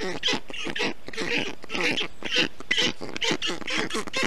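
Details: Storklets of the black stork, Estonia, 20 June 2021, kept cool by a parent bringing wet moss and water; gruff, lower-pitched calls run together in a rapid, rough sequence.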